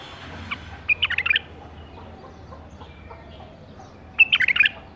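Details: A 2018-season captive-bred bulbul delivers two quick phrases of clear, rising and falling whistled notes, roughly three seconds apart.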